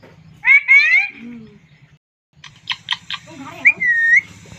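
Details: A talking pet parrot utters clear, speech-like whistled phrases with gliding tones, falls silent for a moment, then bursts into a quick series of clipped syllables and another drawn-out whistled word.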